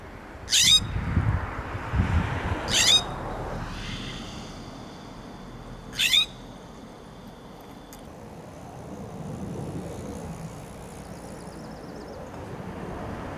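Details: A California Scrub-Jay perched on a Coast Live Oak branch in Del Monte Forest, California, gives three harsh, rasping scolding shrieks a few seconds apart, then falls quiet over a low background rumble.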